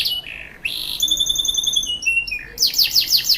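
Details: Canary from South Jakarta, Indonesia, delivering a soothing, luxurious cengkok song: a buzzy phrase, then long pure whistled notes stacked in high harmonics, stepping down in pitch, ending with quick repeated descending chirps.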